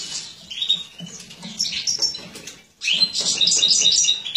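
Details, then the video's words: Captive-bred mutated European goldfinch hen feeding, 2017: scattered high chirps, then after a brief silence a loud, rapid burst of tinkling twitter and short whistles. "Jilguera embuchando"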